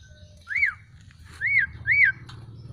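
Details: Black-collared starling, freshly bathed and drying in the sun, utters three clear upslurred-then-downslurred whistles in quick succession over a low steady hum.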